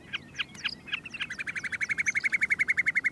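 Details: Common snipe calling from the ground on a summer breeding ground of short tussocky grass on a glacial outwash plain, giving a steady run of sharp, clipped chipping notes, about four a second, after a few scattered chirps from other birds.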